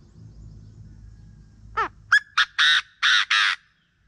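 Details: Chinese francolin heard in the morning, recording meant as a lure: low background rumble, then a swift sequence of a slurred note, two sharp clipped notes and three long, loud, grating blasts.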